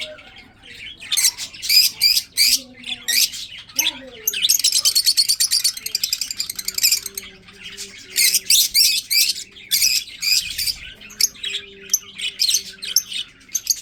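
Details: Breeding budgerigars, several birds chattering: bursts of harsh, scratchy chirps and squawks in rapid clusters, with a long buzzy rattling trill in the middle, a steady low hum underneath throughout.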